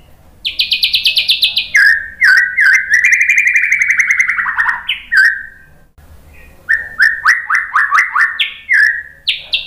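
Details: Song of a white-rumped shama, played to provoke other birds to sing: rapid high repeated notes dropping into long runs of fast, slurred, trilling phrases, a brief pause, then more stuttering repeated notes.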